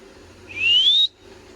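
A parrot gives one clear, pure whistle that slides steadily upward and lasts about half a second, against faint indoor background hum.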